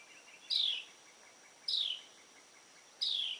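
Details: Carolina wren calling while preening: three short, buzzy notes, each sliding downward, spaced about every one and a quarter seconds, with a faint steady high whine throughout.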